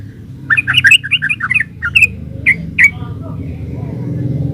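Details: Energetic 'gacor ropel uplik' singing from a yellow-vented bulbul: a rapid burst of rich, bubbling, slurred notes, followed by three or four separate emphatic chirps, then a low rumbling background.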